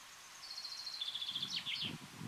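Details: A Woodchat shrike in the Alpilles, France, in May 2018 gives a quick, high, chattering run of thin notes ending in a few sharper squeaky phrases, with soft rustling underneath.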